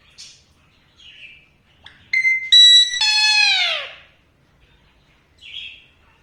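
Alexandrine parakeet: a few soft chirps, then a steady nasal note and a loud, harsh squawk that slides downward over about a second, followed by a quiet chirp.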